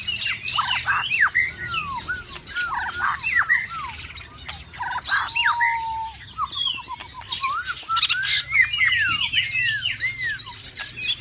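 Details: White-rumped shama in a cage during the mating season giving an extended varied song: dense bursts of sharp chirps and squawks, downslurred whistles, a long steady whistle and a quick trill-like run of repeated notes.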